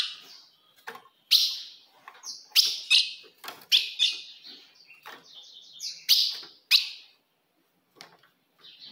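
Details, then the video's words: Female ultramarine grosbeak calls used to provoke a male: sharp, bright chip notes given singly and in pairs at uneven intervals, with softer clicks and brief thin tones between them. "se o seu azulão não segura fogo de fêmea"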